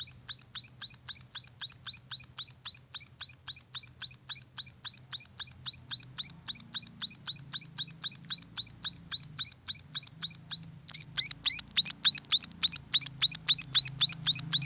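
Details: Captive munia chicks chirping in a long even run of high, rising squeaks at close to four per second, growing louder toward the end, with a low hum behind.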